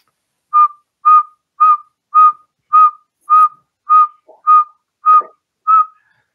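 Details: Northern Saw-whet Owl, New England's smallest owl, migrating through Massachusetts in late October; call gives ten clear, even whistled toots on one steady mid pitch, nearly two per second, with a couple of faint soft knocks behind.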